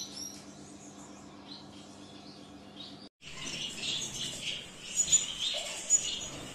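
A low steady hum with scattered high notes gives way to a dense flock of zebra finches chattering, with busy overlapping nasal beeps and chirps.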